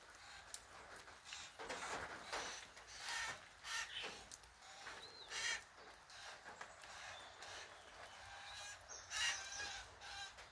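Young currawongs give harsh, raspy, crow-like squawks in uneven bursts every second or so, with faint higher chirps from other birds in the background.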